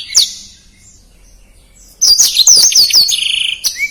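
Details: Black-throated canary singing fast and dense, used as a tutor song for contest birds: a lone thin note, a pause, then from halfway a rapid high twittering run of sharp chirps, slurred whistles and a short buzzy trill.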